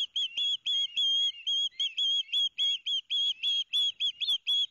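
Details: Noisy young ospreys at Barnegat Light, New Jersey, on 13 September 2021, each getting a fish from the father. Dense, shrill whistled notes follow one another rapidly, slightly uneven in length, sounding like an excited chattering stream.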